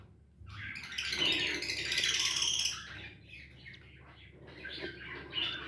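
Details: Pet cockatiel gives harsh, squawky chirps mixed with brief whistled notes, indoors.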